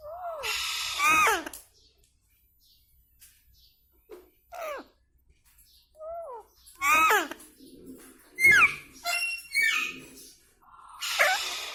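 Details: Indian ringneck parrot talking indoors: short high, squeaky, sliding syllables in bursts, with raspy buzzy phrases at the start and end, separated by near-silent pauses.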